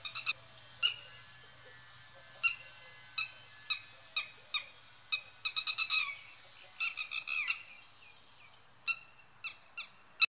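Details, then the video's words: Red-wattled lapwing in a garden giving loud, shrill, piercing alarm notes, some single and some in rapid runs of three to five, at an uneven pace; faint low hum early on. "Red-wattled lapwing alarm call and sound."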